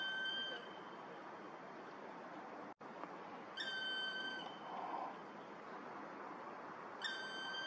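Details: Black woodpecker (Dryocopus martius) at Vrieselhof, Oelegem, Belgium, 14 January 2022: long, steady, plaintive whistled notes, each under a second, repeated about every three and a half seconds over distant traffic.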